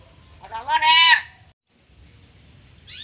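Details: Black-capped lory kept as a pet, mimicking human speech: one loud, rich, voice-like harmonic utterance lasting about half a second, a brief silence, then a faint short high note.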